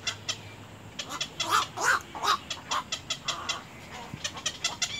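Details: At the nest, little egret chicks bite at their mother while giving quick harsh clacks mixed with short nasal squawks, bursts coming roughly every half second, louder in the middle.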